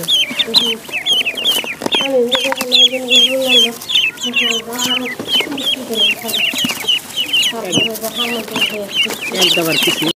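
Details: Pond duckling peeping almost nonstop with high, wavering whistled notes, several per second. Lower, nasal, buzzy calls run beneath them in stretches, and broadband splashing or rustling is heard throughout.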